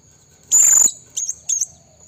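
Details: Calling blue-crowned hanging parrot, recorded as a lure for wild rivals: one longer shrill, high buzzy note followed by two short sharp high chips, set against a faint continuous high whine.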